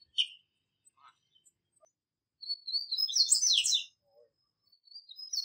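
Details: Double-collared seedeater singing in nature: a short chirp, then a burst of rapid high twittering and buzzy warbled notes lasting over a second, with a few faint scattered chirps between phrases.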